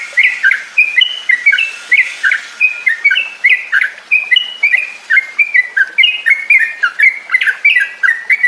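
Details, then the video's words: A long stream of chattering, liquid whistles from a Yellow-vented bulbul (trucuk), played as a training lure so caged birds sing and ngropel; notes come in quick, uneven bursts of rising and falling slurs. "SUARA PANCINGAN TRUCUKAN AGAR BUNYI DAN NGROPEL"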